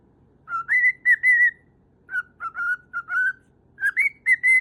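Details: Pet lutino cockatiel seeking attention from its owner, giving clear whistled notes in short groups of two or three, each note steady or slightly rising, with pauses between groups in a quiet room.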